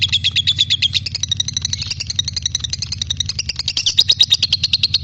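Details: Lovebird song used to train magpie-robins, a busy run of shrill chattering pulses with uneven spacing and small rises and dips in pitch, over a low hum.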